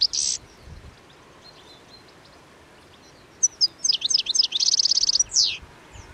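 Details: Midwinter flock of European goldfinches eating plane tree seed balls along the Anapodaris river at Garipa, 17 January 2021: one short burst, a pause, then liquid twittering that turns into a fast buzzy trill.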